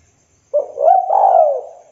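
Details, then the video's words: Spotted dove, local bird in good voice, calling a rival: a quick introductory note then a warm rising coo leading into a long coarse coo that slowly sinks and fades, nothing else audible. "Tekukur Lokal Gacor Memanggil Lawan sekali dengar Derkuku Lain LANGSUNG NYAUT"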